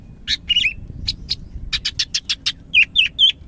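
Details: Greater green leafbird of the Medan type, described as singing vigorously: a fast run of sharp, high chirps, then a tight burst of evenly spaced clipped notes and three slurred, dipping whistles, over a faint low hum.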